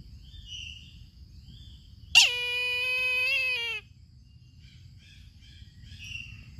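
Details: Single drawn-out, nasal scream of a Brahminy kite, starting abruptly, holding for about a second and a half with slowly sagging pitch, then stopping; soft distant chirps before and after.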